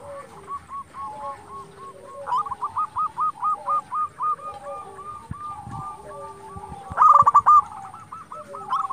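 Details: Local zebra doves singing, meant to provoke silent or young birds into answering: long runs of quick hooked coos overlapping lower stepped notes, with a brief loud rolling phrase toward the end.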